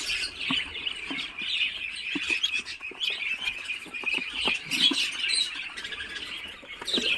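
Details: Muscovy duck eggs hatching in an incubator at 28 days: many ducklings peep at once in a steady high-pitched chatter, with scattered clicks and tapping below.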